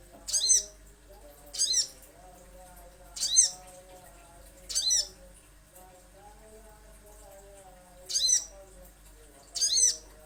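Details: Little spiderhunter in a lure recording: six sharp, high, slurred single notes spaced one to two seconds apart, with a soft low murmur in the background.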